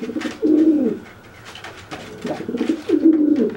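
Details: Pigeon cooing to intimidate a wet, grounded pigeon after a bath; two low warbling coos separated by a quiet gap with soft clicks.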